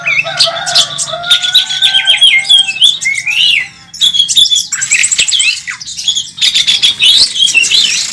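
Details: Oriental magpie-robin competing at a bird contest, a national first-place winner flaring its wings; dense, mixed song with rapid trills, looping whistled phrases and rasping squawks, briefly pausing midway before resuming.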